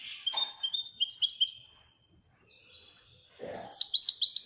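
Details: European goldfinch, called royal goldfinch, giving a sequence of clear chirping notes, falling silent for over a second, then resuming with fast bright twittered notes; a short low noise just before the second phrase.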